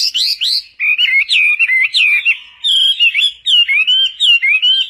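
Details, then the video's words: Chinese hwamei song with varied phrases, for training other birds: loud clear whistled notes rising and falling, slurred up-and-down figures in quick series with brief pauses between bursts. "Suara Burung Wambi Gacor Joss untuk Masteran"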